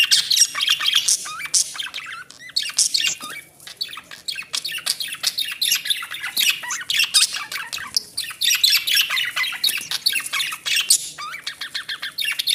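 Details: A family of budgerigars chatters nonstop with rapid, scratchy warbles, chirps and squawks.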